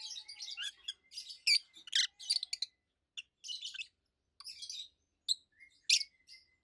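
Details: Two adult rosy-faced lovebirds, over a year old and long kept as healthy pets, give loud, high, treble chirps. Dense bursts of squeaky notes come in uneven clusters with short silent gaps throughout.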